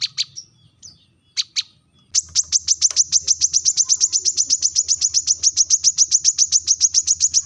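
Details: Brown-throated sunbird's sharp call aimed at rivals: a few scattered high chips, then a long, rapid, even string of piercing notes, about five per second, over a low steady hum.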